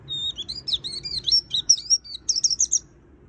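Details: White-eye in full-filler 'gacor' song; an unbroken run of rapid, high, chattering and warbling notes that swoop up and down for about three seconds, then stop, with faint low background hum.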